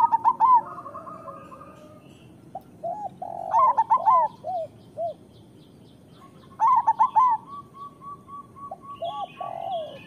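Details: Actively singing local zebra doves (perkutut lokal): three loud, rapid, bouncy coo phrases about three seconds apart, separated by gentler single coos and a fast trill.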